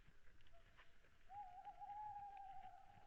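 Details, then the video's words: Owls calling at night, 22:15 on 26 February 2017, picked up by a deer webcam on Saaremaa, Estonia: one long, steady, slightly wavering whistled note held for almost two seconds over a low rumbling background. "owls call"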